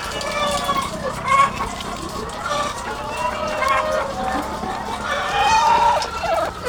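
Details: Chorus from thousands of egg-laying chickens on a farm. Overlapping harmonic clucks and calls continue without a break, and a rising drawn-out call stands clear toward the end.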